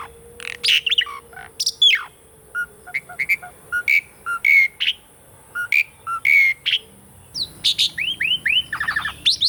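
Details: Asian pied starling song used as a training recording to stimulate birds that have stopped singing: a varied run of sharp whistles, harsh chatters and clear slurred notes, ending in a quick series of descending whistled notes and buzzy bursts.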